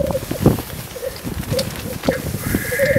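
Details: Black grouse in the heart of the Swiss Alps: short, low bubbling cooing notes come in irregular bursts, and a steadier, higher drawn-out tone enters near the end over soft outdoor rustling.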